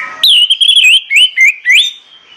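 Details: Loud morning song of an orange-headed thrush, played to stimulate birds to sing: a sustained, wavering whistle breaks into three shorter swooping notes, ending in a rising phrase.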